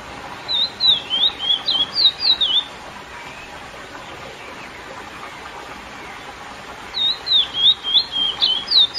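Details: Curió (lesser seed finch) in classic song meant to excite females: two bursts of rapid whistled zigzag notes, one at the start and one near the end, separated by about four seconds of quiet hiss.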